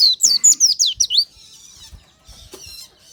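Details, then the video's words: Oriental white-eye singing a natural lure song in the morning: a rapid string of seven high, downslurred whistled notes in just over a second, then fading to faint thin twitters. "PANCINGAN SUARA KICAU BURUNG PLECI ALAMI"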